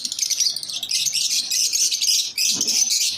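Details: Masked lovebirds, also called yellow-collared lovebirds, chirping: a dense, continuous high-pitched chatter of overlapping shrill squeaks and twitters with no pauses, heard steadily throughout, with a brief dip near the end.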